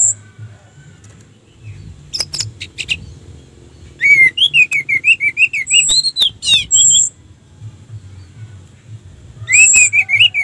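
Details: Orange-headed thrush singing as bait to provoke rival birds: a scratchy opening, then a fast series of wavering, trilled mid-pitched notes, some high whistles, a quiet gap, and a final warbled phrase, over low hum.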